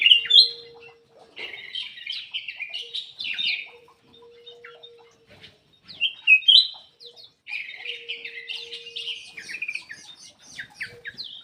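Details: Lively song of a black-crested bulbul from an aviary, meant to coax silent birds into singing. Rapid tumbling whistled notes come in several bursts separated by brief pauses, with a faint constant low tone behind.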